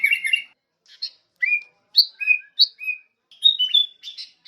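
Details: Short phrase from a Sooty-headed bulbul, called kutilang: a harsh chatter, spaced bubbly whistles that dip and rise, then a brief trill-like flourish; nothing else audible.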